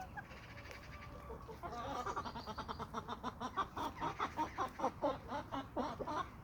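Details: Chickens and roosters of a small suburban homestead flock on sandy soils: a rapid run of harmonic clucks, about three per second, growing louder and more insistent over four seconds, with quieter clucking from other birds beneath.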